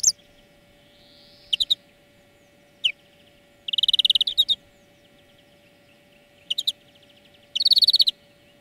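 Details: Greenfinch singing for a bird-training song lesson: short separated trill bursts and chips, a faint soft wheeze, and a louder fast rattling trill, repeated several times over quiet pauses.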